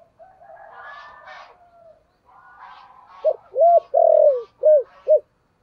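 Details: Spotted dove coo in the 'thổ' voice style, meant to draw wild birds in. Faint chattering bird sounds come first, then a loud phrase of short hollow coos, one long downslurred note, and two more short coos.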